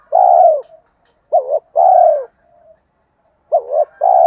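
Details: Male and female spotted doves calling to provoke cooing during training. Mellow low coos repeat as paired units, a quick dipping note followed by a sustained downward-sliding coo, separated by short pauses and a faint hum.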